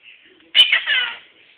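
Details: Pet male monk (Quaker) parakeet, one and a half years old, mimicking "peekaboo" in short, raspy, nasal bursts of speech-like syllables.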